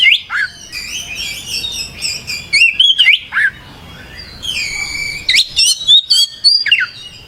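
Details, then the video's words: Kacer, the oriental magpie-robin, singing gacor style: clear sweeping whistles and bright chirped notes arrive in quick uneven bursts, several per second, separated by short gaps of quieter background. "Suara Burung Kacer Gacor"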